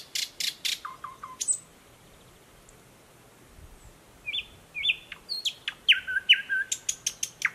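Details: Newly arrived thrush nightingale singing in dense thickets by a stream, Mogilev district, Belarus, 11 May 2021: sharp clicks, short falling whistles and a fast rattling series of high strokes, loud and close.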